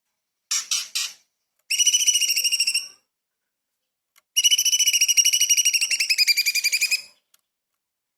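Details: Light-vented bulbul in full song with small-bird fill for training magpie-robins and shamas: a few short chips, then pulsing whistled trills, the longest running nearly three seconds at an even rapid pace.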